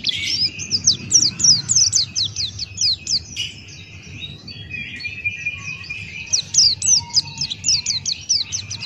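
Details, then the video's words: Singing male Buxtoni white-eye (pleci) in 'ngalas' open-beak style. Two bursts of rapid, high chirps about four per second frame a middle stretch of softer, lower warbling, with low background noise. "Masteran Pleci Buxtoni Ngalas Buka Paruh"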